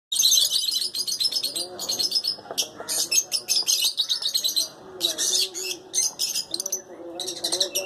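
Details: Lutino lovebirds, kept in pairs, chattering in dense runs of shrill, high chirps and squeaks nearly nonstop, with lower warbling notes underneath and brief pauses around the middle.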